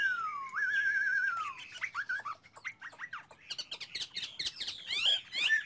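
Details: Chinese hwamei singing: a clear whistled phrase sliding down, then a wavering trill and a run of varied rising and falling whistled notes, ending in sharp bright notes.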